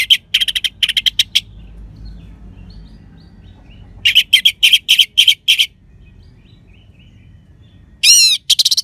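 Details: Orange-headed thrush in vigorous 'crystal' song, a lure for sluggish or silent birds. Bursts of rapid raspy notes separated by quiet gaps, ending with a sweeping, wavering phrase.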